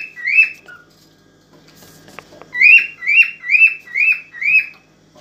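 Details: Mating song of an excited cockatiel for stimulating the female: one whistled note, a quiet stretch with faint clicks, then five strong, evenly repeated slurred whistles.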